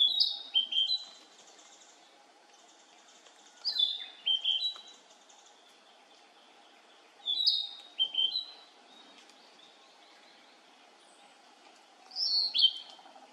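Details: Male Narcissus flycatcher singing four short phrases spaced about four seconds apart, each a clear whistled note dropping into a quick slurred warble, over a steady low hum in the background.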